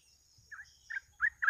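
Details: Sooty-headed bulbul phrases used as a lure for catching birds: four short bubbly notes, each about a fifth of a second, the later ones louder and warbling, with a faint steady high hiss throughout.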